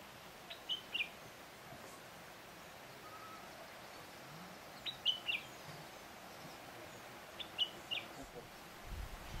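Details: Common Bulbul (Pycnonotus barbatus barbatus) at Oukaimeden, Morocco, March 2012, giving three short bursts of two or three quick, bright chirping notes, spaced several seconds apart, over a steady outdoor hiss and a low rumble at the end.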